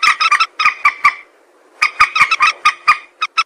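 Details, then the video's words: Common moorhen voice used for hunting: bursts of quick, harsh, cackling notes repeated in two clusters separated by a short pause, loud and dry against a quiet background. "Moorhen bird hunting voice 2024 | Moorhen birds best sound | Jal morgi ki awaz"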